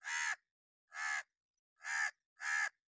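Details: Four loud, grating caws from a crow in angry mood, a call used for alarm or warning; the notes come in a steady series, the last two closer together, in clean quiet surroundings.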